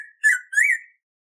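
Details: Bico-de-pimenta (black-throated grosbeak) song used for teaching captive birds, heard as a soft lead-in note followed by two clear whistled notes, the second slurring up and then down, all within a second in otherwise silent surroundings.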